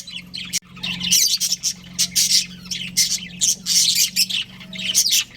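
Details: Chattering from a pet budgerigar breeding pair: loud, raspy chirps and warbling squawks come in separate bursts about every half second, with a low droning hum behind them.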